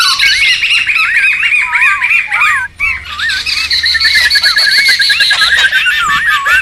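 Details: Wild laughingthrushes in a noisy chorus, suited to luring and tutoring birds: fast overlapping rising and falling whistles with harsh chatter, briefly broken by a pause near the middle.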